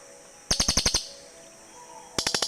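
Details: Two cililin birds answer each other with quick bursts of about six sharp, buzzy pulses each, separated by a brief pause.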